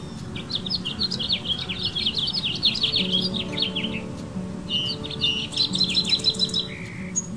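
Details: Cassin's kingbird in a California backyard gives rapid, scratchy chattering notes in two excited bursts, with a brief clear whistle at the end, over a steady low hum.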